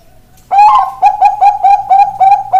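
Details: Bangkok-type zebra dove with a ring opens with a longer, fuller coo, then follows with a quick series of short, rising, mellow notes about three per second.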